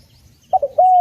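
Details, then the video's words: A brief spotted dove call used for luring and training: two short hooting notes lead into a sustained, level, clear coo near the end. "Masteran Burung Tekukur / Derkuku dengan Suara Jernih Cocok juga untuk Pikat"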